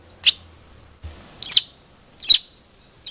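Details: Long-tailed shrike calls used to prompt captive birds to sing: single short, sharp high notes spaced about three-quarters of a second apart against a quiet background.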